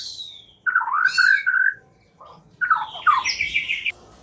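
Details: White-rumped shama song as a lure to start a silent bird singing: two short, loud warbling phrases with rich slurred notes, separated by a quiet pause of about a second.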